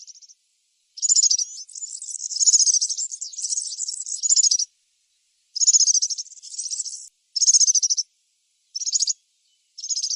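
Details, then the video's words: Singing European serin in nature, a long sizzling, jangling run of high trills for several seconds, then shorter bright bursts after a pause; background otherwise silent. "طائر البسبوس السورا في الطبيعة_serin cini dans la nature"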